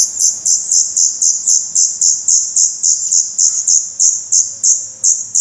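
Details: In a black redstart nest in Portugal, 16 May 2020, the young give a steady series of high, thin, downslurred calls, about three and a half per second, evenly spaced.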